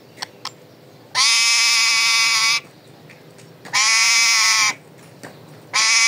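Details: Pet parrot's raw calling voice: long, drawn-out harsh screams over a second in length, three in a row with short gaps, preceded by light clicking noises.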